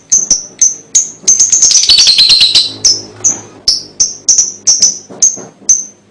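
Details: Lovebird song as a lure for young birds: a steady run of high, sharp chirps with a brief buzzy trill in the middle, then the chirps resume at a quick, slightly uneven pace.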